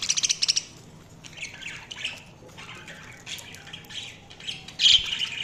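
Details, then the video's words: Budgerigar chirping opens with a rapid train of sharp clicks, followed by softer warbling chatter and a loud squawk near the five-second mark. "Budgies Sounds| Budgies Chirping sound"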